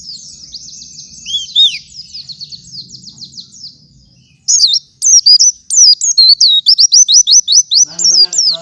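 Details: White-eye morning gacoran, used as a master song for other white-eyes: soft, blurred twittering under a low background hum, then loud, crisp, high whistled notes repeated rapidly in a steady chattering run.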